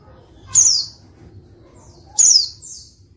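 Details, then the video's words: Female white-eye calling to provoke reluctant males into singing: two high, thin descending notes about 1.6 seconds apart, each a short downward-sliding whistle, with faint low hum beneath. "pleci betina untuk pancingan pleci malas bunyi"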